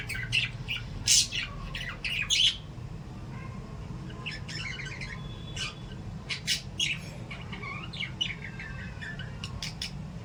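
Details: Lovebirds in a cage or aviary chirp and squawk in sharp, shrill bursts with a low indoor hum beneath.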